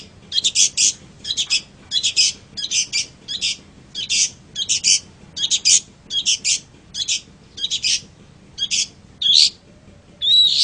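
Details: Long-tailed shrike song used for training other birds: a rapid series of harsh, scratchy high notes in short bursts about twice a second, ending with a couple of thin whistled slurs.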